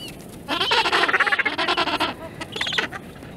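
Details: Gentoo penguin (Pygoscelis papua) gives a harsh, braying call of rapid throaty pulses for about a second and a half, then a shorter burst after a brief pause.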